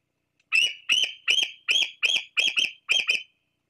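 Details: Juvenile bald eagle perched near the Fraser Point nest on 26 July 2022, calling for its parents between bouts of preening: seven high, sharp, piping notes, evenly spaced about every 0.4 seconds, with no other sounds.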